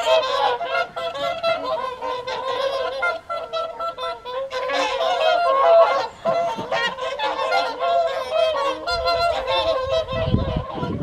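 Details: Wintering whooper swans at the evening feed, Folly Pond, WWT Caerlaverock, January 2023; steady chorus of nasal honks and bugles from a large flock, with a brief low rumble near the end.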